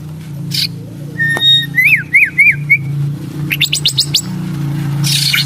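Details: White-rumped shama giving a few short rising-and-falling whistled notes in quick succession, then a rapid burst of sharp notes, over a steady low hum.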